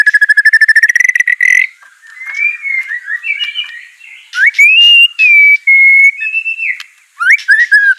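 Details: White-rumped shama song meant to get a reluctant bird answering and singing: opens with a fast, even train of buzzy pulses, then sliding clear whistles rising and falling, ending in sharp upswept notes.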